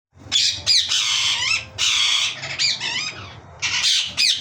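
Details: Yellow ringneck parakeet, likely a pet, giving loud harsh squawks in bursts of about half a second to a second, with short gaps between them, and a low hum underneath.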